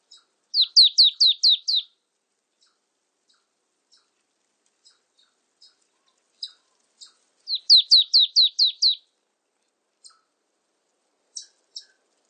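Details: Marsh tit calling: two bursts of about seven quick, high, downslurred notes in rapid series, separated by scattered soft high chips.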